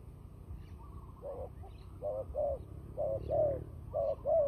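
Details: Turtle dove giving a fighting call, used for trapping: after a quiet start, low mellow coos come in paired notes, repeated about once a second and growing louder, with faint chirps of other birds and a low rumble behind.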